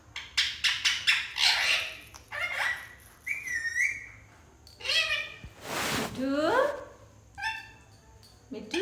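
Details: Pet parrot talking while playing, giving a string of short harmonic word-like calls and rising whistles with breathy pauses, mixed with background music and a burst of broadband noise midway.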